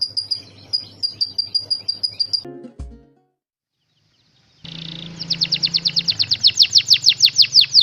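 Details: Canary song played as tutoring material for a lovebird to copy: a run of short high chirps about five per second, an abrupt break and near-silence, then a fast series of high descending whistled sweeps over a low hum.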